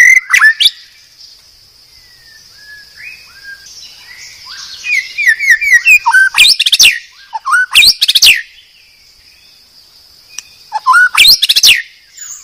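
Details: Medan white-rumped shama (murai batu), a master recording for training cage birds: short loud bursts, a long series of soft descending whistled slurs, then dense harsh chattering phrases, over a steady high ringing tone.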